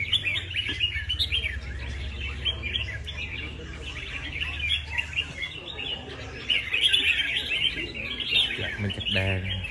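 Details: Competition red-whiskered bulbul recorded up close: busy chirping and warbled phrases, quieter mid-section, then louder bright bursts toward the end, with a brief low sound at the close and steady background hum.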